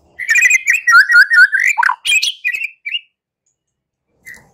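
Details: A white-rumped shama gives a fighting song to make rival shamas answer: a rhythmic string of clear, repeated whistled notes, a sharp dip, then several short phrases, silence and one last single note.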